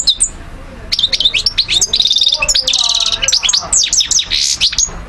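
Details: European goldfinch song recorded in Algeria in 2012: after a brief pause, bursts of bright twittering notes, a buzzy trilled passage and fast rattling runs, then more chirpy slurred notes.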